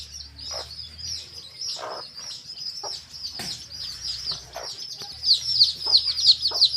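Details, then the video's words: Chicks with their hen in a field: continuous high-pitched cheeping, fairly regular at about three notes a second, swelling louder toward the end, with occasional lower clucks and a faint hum. "Hen Murgi Baby Chicks Chirping Sound"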